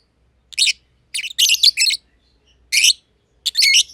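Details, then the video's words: Two lovebirds, a green personata and a green pied personata, kept together in an aviary, giving short harsh high chirps in bursts, with quiet pauses between groups of calls. "Lovebird Chirping Sounds - Green Personata & Green Pied Personata"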